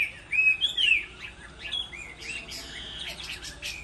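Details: Chinese hwamei in a singing contest during moult. Short, bright whistled slurs stand out at the start, then softer, blurred warbling continues at lower volume under faint background noise.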